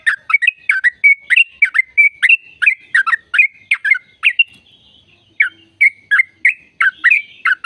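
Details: Sooty-headed bulbul long-trill song meant to get caged birds singing: steady runs of liquid, chirping notes several per second, a short pause midway, then the bubbly phrases resume.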